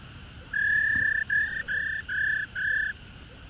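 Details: "Ro" call of a mature female black-throated laughingthrush, used to make males sing hard: one long flat whistle and four shorter equal whistles at the same pitch, regularly spaced, ending abruptly, over low steady hiss.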